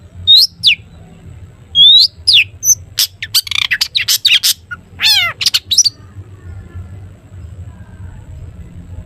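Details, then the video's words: Long-tailed shrike in full song, the 'toet toet' style, used as a lure to prompt other shrikes to sing and answer. Sharp high whistled notes and rapid clicky bursts, then a falling harsh sweep, all stopping after six seconds; faint low hum beneath. "cendet gacor TOET TOET buat pancingan cendet agar bunyi"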